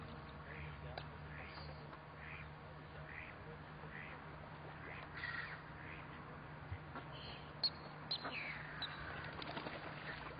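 Long-tailed ducks give soft, rising, nasal yelps, repeated about twice a second, over a steady low hum.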